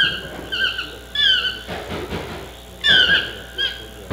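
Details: Chestnut-mandibled toucan with a series of downward-sliding yelps, several short notes then a louder burst near three seconds, with a soft rushing noise in the middle.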